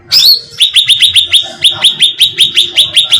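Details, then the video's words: Bait sound of the cucak ranting bulbul to draw birds in: an opening high slurred note followed by steady rapid chirps, roughly five per second, clear and bright. "suara pancingan cucak ranting terbukti ampuh membahana"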